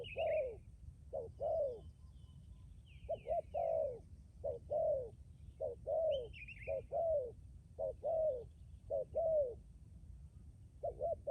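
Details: Spotted dove kept as a decoy bird, cooing in long runs of short paired notes and drawn-out falling coos, steady rhythm, with a few higher twittering chirps of another bird in the background.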